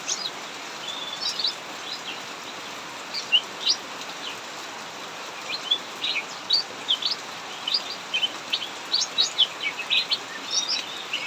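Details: Cucak mini singing nonstop in the ngacor style in an aviary during heavy rain: high, short chirps and twittering notes in quick bursts over a constant roar of pouring rain.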